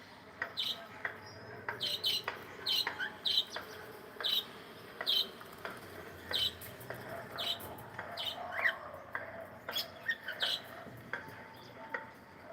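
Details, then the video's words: Cute pet cockatiel singing while playing, giving a run of short high chirps roughly every half second, then looser scattered notes and a few soft whistles. "Cute Cockatiel singing and sound and playing"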